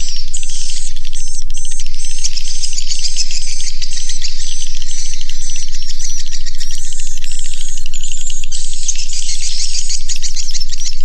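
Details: Chorus of swiftlets inside a swiftlet house, with a nonstop wash of high buzzy chirps and short twittering bursts from many birds, over a constant low hum.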